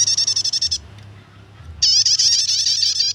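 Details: Chattering prinia song of the nyetater kind, used to attract or train birds; a run of fast, high, pulsing notes, a one-second lull with low hum, then another sustained run of ringing repeats.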